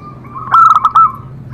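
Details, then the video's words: Zebra dove singing to encourage other doves to respond: one quick cluster of staccato, bubbling coo notes in the middle, with a faint level tone before and after. "Cocok untuk terapi semua jenis perkutut pasti nyamber"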